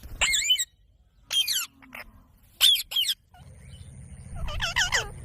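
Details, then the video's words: Ringneck parrot giving harsh, screechy calls in short bursts: several grating, high-pitched notes separated by brief pauses, then a quieter, wavering call sequence near the end over a low background rumble. "Parrot sound | Ringneck parrot"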